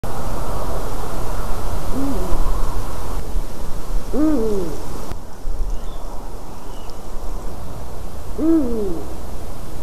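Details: Eurasian eagle-owl in a white-tailed eagle's nest, recorded 12 March 2019 at 18:26; three low, arched, hoarse calls that rise then fall, spaced about two to four seconds apart, over steady low rumbling background noise.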